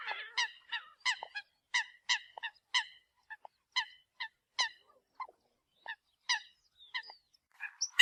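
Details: Eurasian coot call used as a decoy: a dense run of short, clipped nasal honks, several in quick pairs, repeated about once per second over a quiet background.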